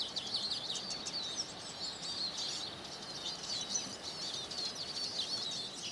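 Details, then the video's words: A Eurasian siskin's high, fast twittering song, mixing chirps, wheezy buzzes and slurred whistles in a continuous run, with soft background hiss. "Siskin Song"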